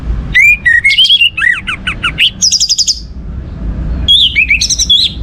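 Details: Song of an orange-headed thrush, played to prompt other birds into song: loud rapid sequence of varied whistles, quick downslurred notes and high thin phrases, a short pause, then more warbled whistling.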